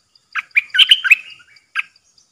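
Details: Caged bulbul decoy, recorded 13 April 2021, hung in two spots while wild birds came in three times before landing; a short run of bright chirping, warbled notes, one burst near the start and an isolated note near the end.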